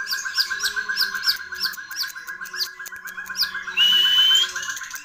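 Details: Long-tailed shrike, known locally as cendet or pentet, singing a rich, varied song: a rapid, steady run of short repeated notes with higher chirps above, then a long, thin, rising whistle near the end.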